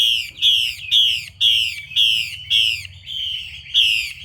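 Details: Female Chinese hwamei calling to stimulate males to sing: a series of eight harsh, harmonic-rich, down-slurred notes, each about a third of a second long, repeated roughly twice per second over a low steady hum.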